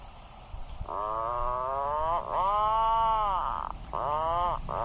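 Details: Atlantic puffin calling in a run of moaning, droning notes, one long arched groan between shorter ones, delivered almost continuously with short pauses.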